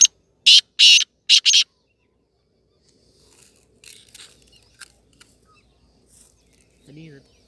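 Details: Hand-tamed Black francolin (kala teetar) kept as a pet, giving a loud, harsh, grating call of five rasping bursts within under two seconds, then quiet with faint chirps from other birds and a short low sound near the end.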